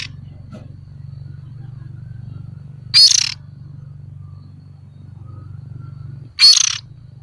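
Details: Oriental magpie-robin juvenile serving as a decoy, producing two brief, rasping, hiss-like calls about three and a half seconds apart over a constant low droning hum.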